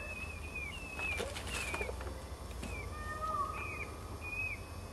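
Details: Peafowl chicks on their third day of life, on a porch where their mother moved them away from broken egg shells, calling to her: thin, high whistled peeps, some flat and some sliding down, with soft rustling and low background hum.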